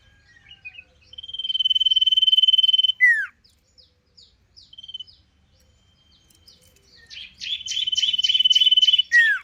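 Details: Ngentir-style sirpu song: extended fast buzzy trills each ending in a sharp falling note, separated by soft scattered notes and a short quiet gap.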